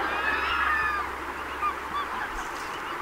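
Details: Greater white-fronted geese wintering at Donggang Township, Taiwan, 19 December 2021. Several short, high, nasal yelps overlap in the first second, then scattered clipped calls follow against a constant noisy background.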